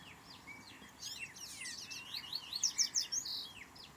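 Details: Double-collared seedeater singing in the carioca song style: a run of varied high, quick chirps and sweeping whistled notes, loudest and most rapid near the end, over a faint steady background hiss.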